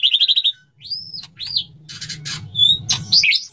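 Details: Male white-rumped shama calling to a female during courtship. A quick run of pulsed notes is followed by scattered arched whistles and harsh bursts, over a low rumbling background.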